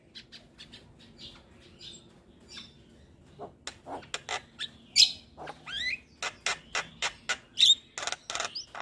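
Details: Javan myna singing without pause, a recording for tutoring other birds: soft scattered clicks at first, then a quickening run of sharp, loud chips, scratchy squeaks and buzzy rasps, roughly one burst every half second.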